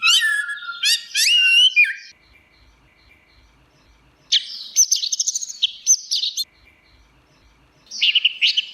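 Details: Orange-headed thrush song opening with rapid sweeping whistles and trills, then after a pause a long high-pitched phrase of fast repeated notes and another short burst at the end.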